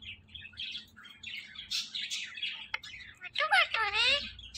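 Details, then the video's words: Pet talking parrot, female, playing with her best friend indoors; scratchy chattering and chirpy bursts for three seconds, then loud wavering, harmonic voice-like calls that bend up and down near the end. "my talking mittu ❤️ || talking parrot || Parrot talking"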